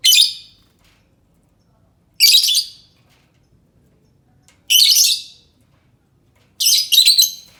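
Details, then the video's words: Four loud, grating lovebird screeches spaced roughly two to two and a half seconds apart, offered as a lure call that other lovebirds are said to answer; the background is otherwise silent. "Suara Burung lovebird cocok untuk pancingan lovebird pasti nyaut"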